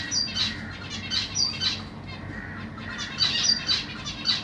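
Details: Caged Zebra Finches, Black Cheek type, a family with three juveniles and three newly hatched young, parents busy feeding them, 25 June 2023: nasal, harmonic-rich chirps in quick bursts, repeated roughly every half second, over a low steady hum.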